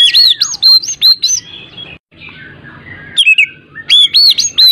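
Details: Lure recording of oriental magpie-robin song meant to stir a lazy bird to sing: rich varied whistles, sweeping down-slurs and rapid chirps, with a quieter scratchy warbling passage midway before bright whistled notes return.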